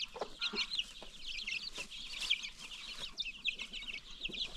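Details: Many new baby chicks on a free-range chicken farm keep up a steady flurry of shrill, falling peeps, with a few brief lower clucks in the opening second.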